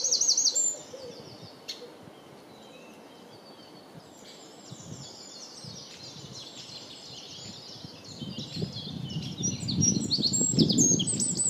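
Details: Eurasian wren song: a loud burst of high trilled notes at the start, then quieter, rapid high twittering and rolling phrases running on continuously, with low rumbling background noise swelling toward the end.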